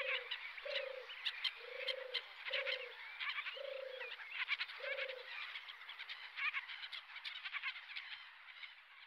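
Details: European turtle dove at RSPB Frampton Marsh reserve, recorded from the car park on 26 July 2020. Six low purring notes come in the first half, each about half a second long, over a dense background of high chirping birds.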